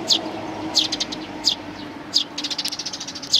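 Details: Sparrows with a chick, including a partly bald adult, recorded 8 May 2019: sharp high chirps roughly every 0.7 seconds, then a quick run of softer rapid chirps before one more sharp note, with a low steady hum behind.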